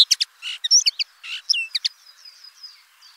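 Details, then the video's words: Common linnet twitters a brief jumble of chirps and buzzy notes, then trails off into a run of thin, faint whistled notes. "BIRDS VOICE : The common linnet Bird"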